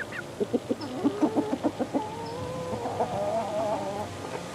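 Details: Mixed-breed young chickens, eleven weeks old, in a play pen: a quick run of low, evenly spaced clucks, followed by a drawn-out, wavering, tonal trill lasting about two seconds.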